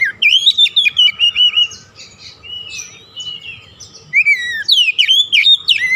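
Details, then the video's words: Oriental magpie-robin lure song for a bird that has stopped singing: a long, rich, varied run of loud whistles and trills, a softer warbled passage, then another burst of rapid, steeply falling whistled notes. "KICAUAN PEMIKAT DAN PERANGSANG BUNYI | Kacer stres macet bunyi langsung gacor"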